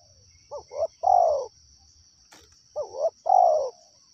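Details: Cooing of a wild spotted dove: short paired notes leading into a long, loud, descending coo, given twice about two seconds apart, with a click midway and a high insect hum throughout.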